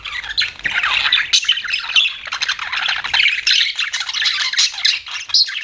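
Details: Budgerigars chattering nonstop, a thick mix of harsh scratchy squawks, clicks and high squeaks running together throughout, with a faint low rumble underneath at the start.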